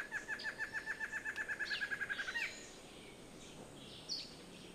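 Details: Yellow-bellied tyrannulet delivering a rapid even chatter of about fourteen short notes that quickens and rises at the end, followed by near silence and one faint high note.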